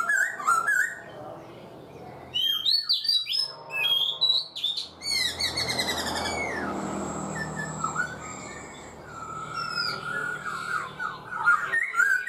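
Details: Black-throated laughingthrush in a cage for four months delivers bursts of loud, fast, varied whistles and chattering notes, separated by quieter stretches with faint background sound.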